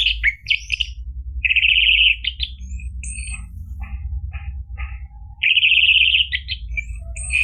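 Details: Caged orange-headed thrush song for triggering another bird to sing: mixed chirps and two long buzzy trilled notes separated by scattered short clicks and calls, over a low steady hum.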